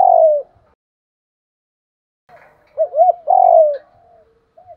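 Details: Spotted dove calling, a recording for training decoy birds: a falling coo, a pause, then quick doubled arched notes leading into a long sliding coo.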